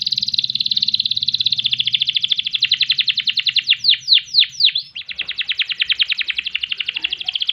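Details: Canary in full song, used as a master tutor recording for training other birds: a long fast trill around mid-high pitch, breaking into several swooping downslurred notes, then another rapid rolling trill.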